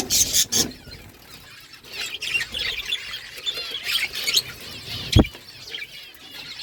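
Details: Pet budgies chirping and talking to each other: steady, busy warbled chatter with wavering high notes, sharp clicks at the start and a single loud knock near the fifth second.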